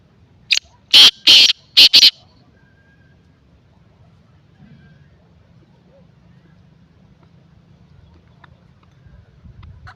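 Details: Black francolin (kala teetar), Sindhi teetar: a short burst of loud, harsh, rasping notes, a brief lead note then three grating blasts in quick succession, followed by quiet low hum.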